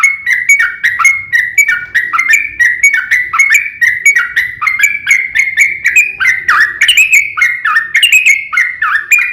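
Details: Yellow-vented bulbul in fighting song, used as a lure to provoke other bulbuls to answer: rapid chattering phrases of bubbly notes, each with a sharp high click and dropping warble, repeated continuously without pause.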